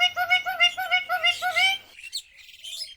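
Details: Pet Alexandrine parakeet, kept at home, chirping: a quick series of about six bright, ringing harmonic notes, each repeated roughly every third of a second for nearly two seconds, then brief faint high squeaks and near quiet.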